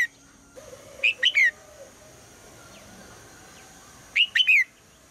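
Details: Female red-whiskered bulbul calling in the morning to prompt the male to sing: two bright three-note phrases, a quick rising chirp then two slurred whistled notes, about three seconds apart, over a quiet background with a faint steady hiss.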